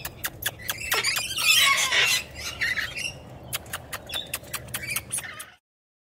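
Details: Several friendly rainbow lorikeets hanging out on a person's arm: a loud rasping screech early on, then a rapid series of short, sharp high squeaks at about two per second over low background rumble.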